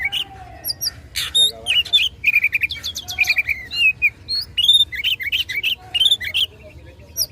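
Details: Singing Oriental magpie-robin in combative mood, provoking rivals: dense stream of clear whistles, quick trilled runs of repeated notes and occasional harsh rasps, lively and continuous.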